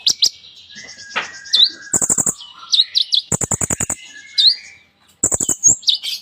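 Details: Kolibri ninja sunbird singing an elaborate song, played to prompt silent birds. Several rapid rattles of ticking notes are broken by sharp, hooked, upslurred chirps and a few slurred whistles, with brief pauses.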